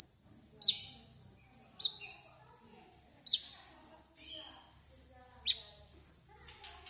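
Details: Bulbul singing loudly and close, bright high whistled phrases with quick downward slurs, repeated roughly every half second to second, a few soft voices faintly behind.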